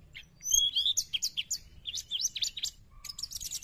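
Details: Sooty-headed bulbul in lively song, used as a lure for wild birds: quick run of high whistled and slurred chirps, some rising, others falling, packed closely with a brief low whistle near the end.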